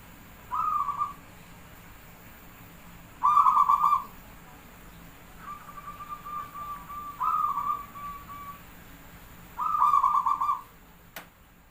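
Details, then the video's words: Zebra dove from Java repeating its beaten cooing phrase, valued for its count of beats and used as a lure: rolling, pulsed mid-pitched coos every two to three seconds, one drawn-out coo between, over a quiet hiss. "Suara Jumlah Ketukan perkutut pandai burung Paling Gacor | Merbok perkutut Jawa Pancingan Gacor"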